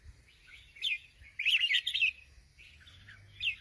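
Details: Sooty-headed bulbul singing actively: a soft opening note, a rich bubbling chatter of tumbling chirps, then two brief separate phrases, set against a quiet low hum.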